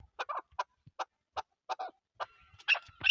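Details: Chukar partridge, national bird of Pakistan, uttering spaced throaty clucks, some doubled, about every third of a second, with a thin whistled tone and a sharper note near the end.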